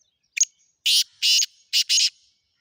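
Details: Black francolin giving harsh, rasping notes: a short double note, then four loud grating bursts in two close pairs, all high-pitched with no other sounds between them.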